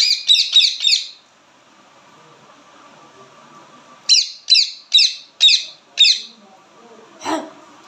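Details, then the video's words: Indian ringneck parrot giving loud chirping calls: a fast run of four shrill, harsh squawks, a pause, then five more evenly spaced about half a second apart, and a final lower rough note. "ringneck parrot/natural talk sound"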